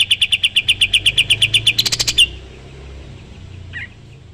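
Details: Sooty-headed bulbul, recorded as tutor song for other songbirds, delivering a rapid run of sharp, evenly spaced notes that quicken into a dense burst before stopping abruptly, leaving near silence and one faint call.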